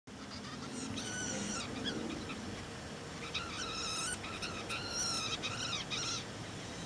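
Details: Red-breasted nuthatches at a nest box in a garden in 2011 give short, nasal, tinny notes in quick irregular bursts, several a second, over a steady low rumble.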